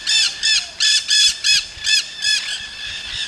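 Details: Wild Nanday parakeets in Solstice Canyon, Malibu, California, filmed 9 March 2017; loud, harsh, grating squawks are repeated about every half second in a steady series, with quiet natural background between calls.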